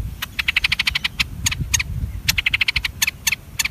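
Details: One-day-old bulbul chicks being fed by their mother: rapid bursts of harsh, clicking chirps in fast runs, pausing and resuming, over a low background rumble.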